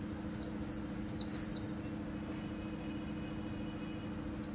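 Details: Japanese white-eye performing khuyên líu song, Vietnam: a rapid burst of about seven high, sharp, falling notes, then a pause and two single slurred notes, over a faint low hum.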